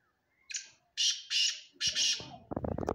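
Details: Black francolin, known locally as kala teetar, giving a harsh, grating phrase of four loud, rasping notes over about one and a half seconds. A burst of lower, rapid, stuttering pulses follows at the end.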